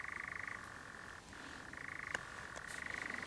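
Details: Churring European nightjar at Clumber near dusk: a rapid, rattling trill with a short pause, resuming with slight pitch changes; a few faint clicks sound in the background.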